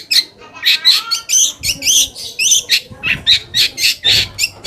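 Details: Long-tailed shrike song used as a lure to provoke other shrikes, even silent or lazy ones, into answering: a fast run of harsh, scratchy high bursts mixed with short whistled slurs, roughly two notes a second, no other sounds.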